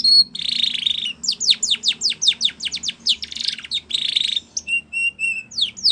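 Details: Spanish Timbrado canary singing a training song, buzzy rolling trills framing a quick series of sharp falling whistles, ending with steady soft piping notes.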